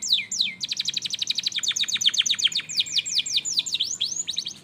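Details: Canary lure song meant to prompt other canaries to sing: a fast, bright trill of rapid repeated high notes, then slower downward-swept whistled phrases and a brief closing trill, all high-pitched over faint background hum.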